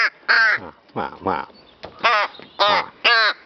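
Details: Rook calling while playing with a feather and flower: harsh, nasal caws in short bursts, some drawn out and others clipped, with pauses between them.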